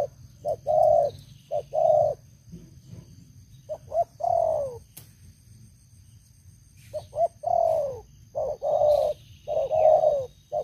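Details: Decoy spotted dove kept for luring wild doves, with a big voice: bursts of low mellow coos separated by a few seconds of near quiet, later notes longer and falling, with a single sharp click and background hum.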